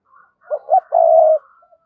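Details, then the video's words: Spotted dove cooing in the 'giọng thổ' style, meant to get a decoy dove cooing quickly: two brief coos lead into a drawn-out, level hum-like coo, with faint higher murmurs before and after. "Tiếng cu gay kich boi nhanh noi, tiếng chim cu gay kich boi nhanh noi gù"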